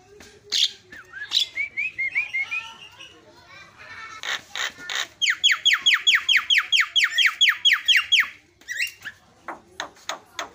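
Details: Javan myna lure song meant to provoke other mynas into singing: mixed whistles and rasping notes, then a fast, even series of about fifteen descending sweeps, ending in scattered chatter.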